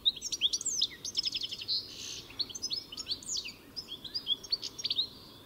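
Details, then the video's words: Goldfinch twittering in a loose, rapid jumble of high tinkling notes and short trills, with one wheezy burst, against faint background hiss. "Самая красивая песня щегла (Аудио) Как поёт щегол? Пение птицы щегол Песня щегла"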